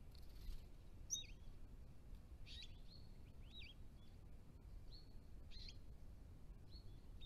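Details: Dusky woodswallows in good numbers visiting a creek pond in New South Wales, adults and immatures: soft, short chirping notes scattered irregularly over steady low rumbling background noise.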